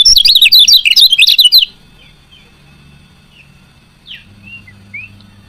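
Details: A female lemon-bellied white-eye gives an opening torrent of shrill, rapid twittering chirps, a call that encourages males to sing. Quiet background and a few faint, thin notes follow.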